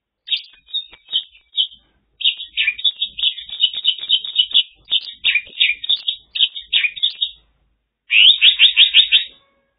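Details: Long, near-continuous song of a Mongolian lark recorded in China, dense chattering and twittering notes strung together in quick phrases, ending with a fast, even burst of about eight repeated chirps.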